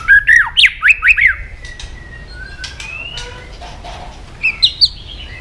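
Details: White-rumped shama song meant to provoke aggression: a quick run of loud swooping whistled notes, then a quieter stretch of thin drawn-out whistles, ending with a brief high twittering burst.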